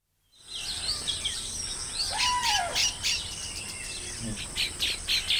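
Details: Baya weavers at a colony giving occasional outbursts of calls: dense high chattering and buzzy chirps from several birds, one clear downward-curving whistle midway, over a steady high hiss.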